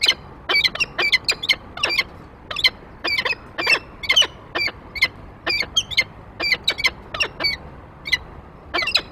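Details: Peregrine falcons at the nest, the male bringing prey onto the grate with the female following; rapid series of harsh, chattering squawks, roughly two per second, each with ragged overtones.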